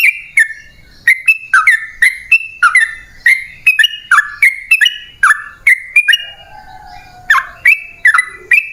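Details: Sooty-headed bulbul lure song, vigorous and long: chattering, slurred whistled notes in quick groups, dropping then rising in pitch, with a soft lower drawn-out whistle heard briefly toward the end.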